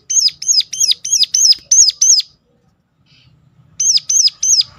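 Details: Sharp calling of a Sunda warbler, meant to prompt other birds of its kind to sing: seven high, arched chip notes in quick even succession, a silent gap, then three more.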